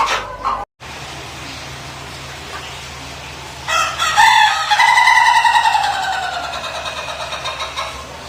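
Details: Ayam Ketawa laughing rooster crowing: after a quiet start with a faint low hum, a harmonic crow begins at mid-clip and runs on as a long, slightly pulsing call that slowly fades toward the end.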